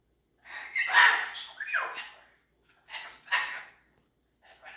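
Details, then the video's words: Female pet cockatoo making odd, ghostly noises: a raspy, breathy screech-like burst followed by shorter harsh rasping calls, then a brief pause and two more grating, broadband calls. The room is otherwise quiet. "Cockatoo makes noises like she's haunted!"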